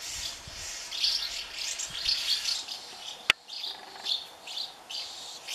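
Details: Hungry House martin chicks in a colony of thirty nests, being fed by their parents: busy, high, thin chirps and twitters in overlapping bursts, pulsing roughly every second, with one sharp click midway.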